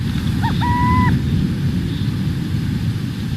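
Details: Burrowing Owl sitting on the ground in grassland gives its call, a soft two-note, cuckoo-like hoot: a short rising coo then a longer even cooo, over a steady low rumble.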